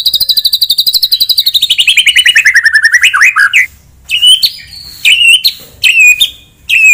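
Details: Shama song used to stir up a rival: a long, rapid trill that slides steadily downward and ends in a harsh burst, then short, clear whistled phrases with pauses between them.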